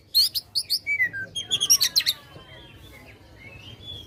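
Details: Oriental magpie-robin in loud song aimed at provoking contest birds: a quick series of evenly spaced sharp chirps and slurred whistles, then fading soft whistled notes over faint hum.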